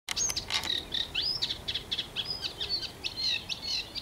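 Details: Eurasian reed warbler singing at the London Wetland Centre: a fast, chattering run of scratchy, repeated notes mixed with short rising whistles, steady and churring without a pause.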